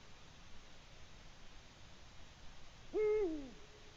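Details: Eurasian eagle-owl hooting at the nest while delivering a small gray mammal, possibly a shrew, 21 March 2020, 6:16 p.m.; after quiet, one strong low hoot, level then dropping at the end.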